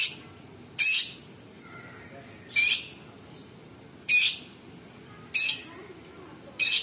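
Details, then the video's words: Bulbul known locally as cucak cungkok, singing actively in a masteran recording with sharp, rough 'tembakan' bursts: five loud, harsh, high, noisy bursts, each about a quarter second, spaced roughly every one and a half seconds, over quiet low hiss. "Cucak cungkok istimewa gacor variasi tembakan istimewa tajam kasar rapat super pedas full isian"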